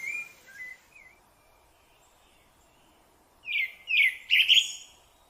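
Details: Rufous-bellied thrush (Turdus rufiventris) song: a few soft whistled notes, then a loud burst of rich, warbled phrases near the end, with light background hiss.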